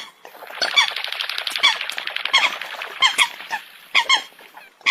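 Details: Eurasian coot flock in a thick wash of rapid nasal chatter, with clear squeaky honks rising out of it every half second or so before the chorus thins.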